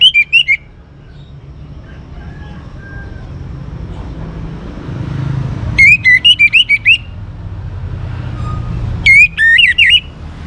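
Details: Song of a young orange-headed thrush from North Bali, Singaraja, used to get other birds singing. Three bursts of rapid, twisting whistles, each with several notes. Long quiet gaps between them are filled by a low traffic-like rumble.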